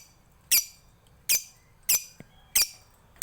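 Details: Lovebird from Bali in a masteran recording meant as a lure for other lovebirds, giving short harsh squeaky bursts at irregular intervals, four loud notes in about three seconds with quiet between.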